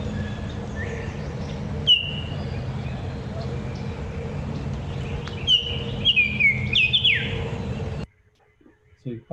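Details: Baltimore Oriole in a recording made elsewhere, bobwhite in the background: one clear whistle, then a short phrase of rich down-slurred whistled notes over low background hum, ending with brief speech.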